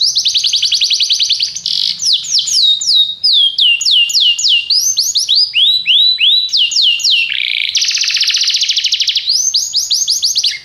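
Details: Canary training song, played so that a canary will sing a lot: loud, high, rolling trills of repeated downward-sweeping notes, changing into faster buzzy rolls and sharp chirps in quick succession.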